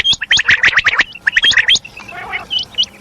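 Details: Calling female common quail, locally termed madi kirak: two quick bursts of grating chatter with hooked whistles, then a softer murmuring passage and a few thin high notes near the end.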